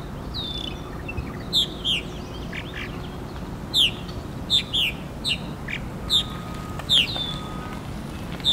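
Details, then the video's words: Purple martin calling at a purple martin house at FortWhyte Alive, Winnipeg, Manitoba, in July: short rich chirps and downward-slurred gurgling notes, several per second in bursts, over a steady low rumble. "Purple Martin Calling"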